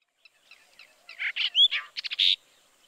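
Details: Brahminy starling recorded in Kaohsiung City on 16 June 2020; soft scattered notes, then a loud burst of buzzy, gurgling phrases mixed with one bright rising whistle and a quick series of rattling clicks, ending on a harsh buzz.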